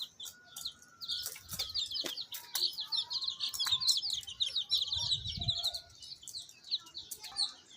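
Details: Baby chicks chirping continuously in a dense chorus of high, short peeping notes that overlap one another, with a few brief clicks and light handling noises underneath.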